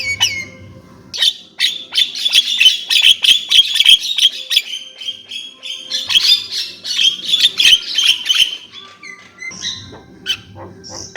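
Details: Javan myna singing a long, dense run of harsh, scratchy chattering notes and squeaky whistles, fast and uneven at about three per second, with short pauses between bursts and a faint low hum underneath.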